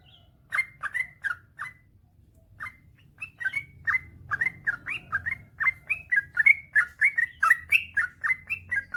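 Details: Yellow-vented bulbul song meant to stir silent bulbuls into singing: a few chirps, a short gap, then a quickening run of bubbly, slurred notes, about four per second toward the end.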